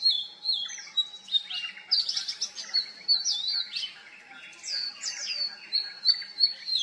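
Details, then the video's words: Oriental magpie-robin singing, mimicking other species such as juvenile Black-naped Oriole and Black Drongo; a continuous run of high whistles, slurred notes and rapid chirpy phrases, varied and bright, with faint background hum. "Vocal Mimicry of the Oriental Magpie Robin"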